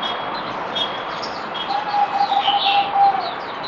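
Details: Zebra dove, known as merbok, recorded 17 April 2020 during its fourth day of deworming. A quick run of soft, beaded coo notes lasts about 1.5 seconds. Thin, high chirps from other birds are heard around it.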